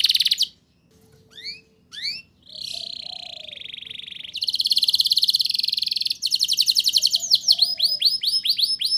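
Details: Canary song for teaching young canaries to sing: scattered upslurred chips after a pause, a sustained buzzy trill, a fast rattling roll, then repeated swooping notes.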